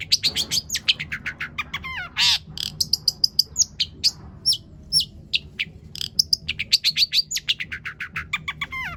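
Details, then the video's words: Dense, energetic song of a long-tailed shrike, rich in imitated phrases and used to provoke other shrikes into singing. Quick high chips, downward-curving whistles and a brief harsh burst follow each other almost without pause. "cendet gacor PANJANG BONGKAR ISIAN untuk PANCINGAN CENDET AGAR BUNYI bikin BURUNG PENTET GACOR"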